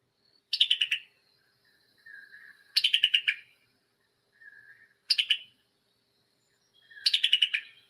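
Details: A Summer Tanager call, used by both male and female and often revealing their presence: a sharp, clicking 'pik-i-tuck', a quick burst of staccato notes about every two seconds, with softer, lower chirps between bursts.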